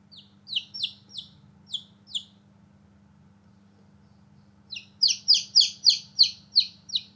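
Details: Newborn baby chicks playing outside, chirping: bright high peeps that slide downward, a short burst of six, a pause of two seconds, then a faster run of about ten loud peeps, over a low steady hum.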